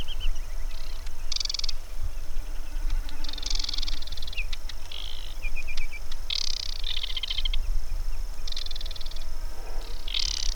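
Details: Male aquatic warbler on the Ławki marsh in Biebrza National Park, Poland, on a June evening, sings quietly and delicately: short, high, chattering phrases about every two seconds with quiet gaps between them, over a steady low wind rumble.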